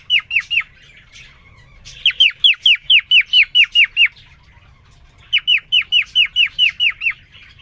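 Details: Male cockatiel courting a newly introduced female: a short triple of falling chirps, then two longer bursts of quick, regularly spaced descending whistled notes.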